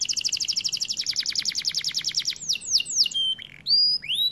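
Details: Song of a white canary: a long rapid trill of sharp high notes for over two seconds, followed by descending slurs and a few bright upward-curving whistles.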